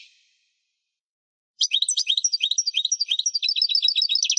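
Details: European goldfinch song from 2018: a fading note, a pause, then a rapid lively stream of repeated tinkling, twittering notes with a steady fast beat.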